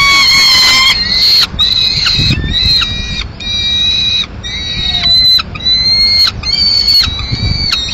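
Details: Peregrine falcons at a nest in Madrid on 15 May 2016, the male arriving with a still-living swift that the female then finishes off; harsh, drawn-out harmonic wails, each about half a second, repeated with short gaps, over faint low rumble.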